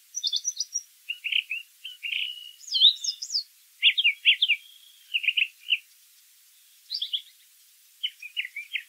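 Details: A brown thrasher sings a lively sequence of short phrases, many delivered as quick repeated pairs or triplets, shifting between high and middle pitches, with a calm natural background.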